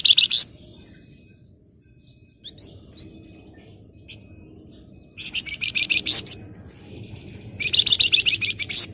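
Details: Flamboyan bursts of dense, scratchy chattering in three separate clusters, with thin whistles between them, over a steady low background hum; a recording meant to train and lure reluctant flamboyan birds into singing.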